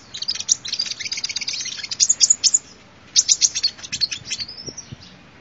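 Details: Sunbird song used as a lure recording: rapid bursts of high, thin chirps and trills, a dense run for about two and a half seconds, a pause, then another fast twittering burst ending in a short rising whistle.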